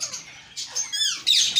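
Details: Caged Indian ringneck parakeets in a breeding setup in India give harsh, raspy squawks in short bursts, several overlapping, growing louder toward the end, in a small indoor room.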